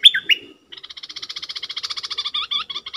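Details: Decoy bulbul singing at wild birds: two clear whistled notes, then a long fast buzzy trill of evenly spaced pulses, ending with a few sharper notes.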